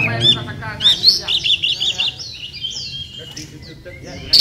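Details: Oriental magpie-robin singing in a 2018 songbird competition at Sri Aman, Sarawak, Malaysia, with rapid varied whistles and chattering trills giving way to long, slurred, descending whistled phrases, background hum throughout.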